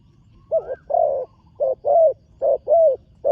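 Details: Young spotted dove on its first time at a competition ground, cooing in paired phrases: a short note followed by a longer, slightly falling coo, repeated about every second, over a quiet low background hum.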